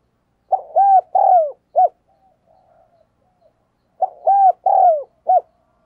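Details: Decoy spotted dove calling hard to draw out wild doves: two identical phrases about three and a half seconds apart, each with three arched coos and a short closing note, quiet murmurs in between.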